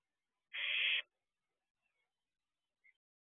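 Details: Owlet barn owl at its nest box at night, early morning of 2 June 2023. One loud, breathy, harsh screech lasting half a second, followed by silence and a couple of tiny faint chirps.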